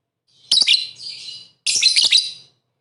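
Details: Shrill, buzzy lovebird chatter in two dense bursts about a second apart, rich in high harsh notes, played as a provoking lure to make rival lovebirds sing.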